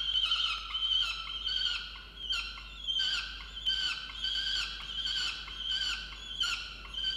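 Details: Peregrine falcon in a nest box on a water tower in Orange, New South Wales, Australia, in November, calling angrily because her mate brought no breakfast; loud, grating, slightly falling wails repeated about every three-quarters of a second.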